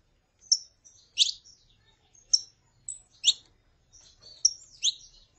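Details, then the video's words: Saffron finch female calling and male singing, meant to stimulate a pet bird: high, bright chirps and short slurred phrases spaced roughly every half second to a second, with faint thin notes between. Quiet background. "CANTO DE FÊMEA PARA ESQUENTAR CANÁRIO DA TERRA (FÊMEA CHAMANDO E MACHO CANTANDO)"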